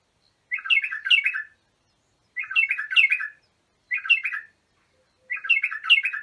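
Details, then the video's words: Bulbul of Iraq, called abu shuaib, singing to train young bulbuls: four warbled phrases of quick, liquid chirps, each under a second and a half, with quiet gaps between them. "تغريد بلابل ابو شعيب لتخريج البلابل"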